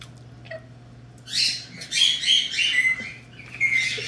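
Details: Captive male red-crowned amazon (Amazona viridigenalis), a good talker that taught himself the trick, mimics electronic beeps: a few bursts of harsh chatter mixed with clear, steady beeps, over a low, constant indoor hum.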